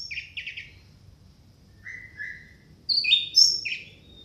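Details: Orange-headed thrush, recorded loud as a training lure for reluctant singers, gives two quick trilled phrases, a pause, two lower slurred whistles, then a louder cluster of high, sweeping whistled notes.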